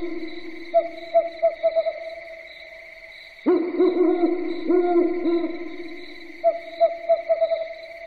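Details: An owl at night gives quick bursts of four or five short, mid-pitched hoots, then one louder wavering call, over a steady humming drone throughout.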